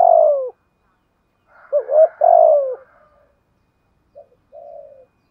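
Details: Cooing of a decoy spotted dove in 'thúc gù' style with 'giọng thổ' voice: a loud, low, falling coo, then stuttered notes running into a long descending coo, and finally a faint soft coo after a pause.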